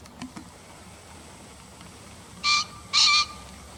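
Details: After a few faint ticks, a green pheasant gives its double call from a bird-guide recording: two strident, honking notes half a second apart, the second held longer.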